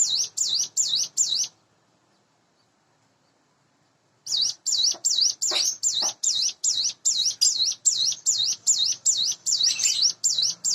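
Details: Hand-raised sunda bush warbler, about eight months old and caged, singing in the morning: rapid high V-shaped whistles, a pause of nearly three seconds, then a long regular series of the same notes.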